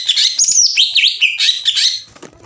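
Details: Green leafbird, a master bird whose song is meant to trigger rival birds to reply; continuous high twisting whistles and slurred chatter for two seconds, then fading noise.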